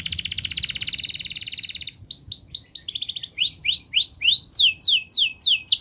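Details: Wild canaries: a sustained buzzy roll lasting about two seconds gives way to rising slurred whistles, a short trill, and steep falling sweeps repeated several times.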